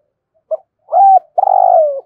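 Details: Caged spotted dove used as a lure bird, cooing in the morning to call wild doves: one short soft note, then a held mellow coo, then a longer drawn-out coo that slides downward at the end, in a quiet setting.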